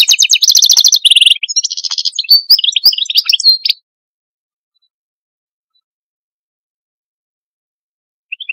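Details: Algerian goldfinch song: dense, rapid trills and buzzy twitters for nearly four seconds, followed by long silence and a couple of faint notes at the very end.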